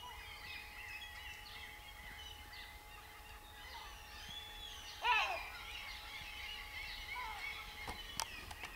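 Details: A Thrush nightingale's rich song of chirps, whistles and a loud burst of clicking notes, with other birds twittering behind and a faint steady hum; Christiansø, Denmark, 11 May 2010.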